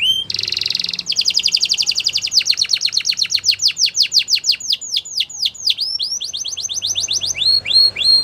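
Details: Canary training song: a brief buzzy burst, then a long, even rolled trill that changes into repeated downward-sweeping whistles and ends with short rising whistled phrases.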